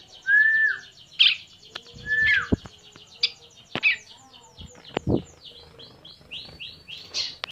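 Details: Tame bar-winged prinia raised by hand-feeding, calling with clear down-slurred whistles and isolated sharp chips, mixed with clicks and handling knocks.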